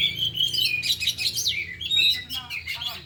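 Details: During an afternoon training of four oriental magpie-robins, all singing and revealing their repertoire: clear sweet whistled phrases and warbles, then a series of rapid clicking chips toward the end.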